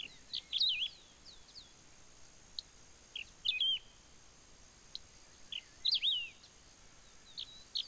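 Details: At Ouro Branco, Minas Gerais, Brazil, a wedge-tailed grass-finch sings brief high phrases of sharp chips and twisting whistled slurs, repeated roughly every two to three seconds against a quiet hissing background.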